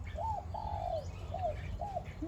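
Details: A Spotted Dove, an older caged decoy bird hung with others, gives soft, clear, arched cooing notes, four in quick succession, small, high and rare for a dove, over a low steady rumble.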